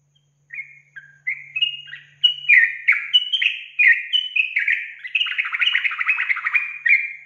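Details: Sooty-headed bulbul song as a lure for untamed bulbuls: rising steps of soft whistles build into loud, repeated slurred phrases and end in a rapid, bubbling chatter lasting several seconds.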